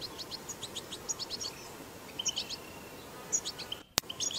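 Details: European goldfinch recorded in the wild, batbata song: scattered high chirps and brief twittering phrases with gaps, a long thin buzz, and a sharp click near the end.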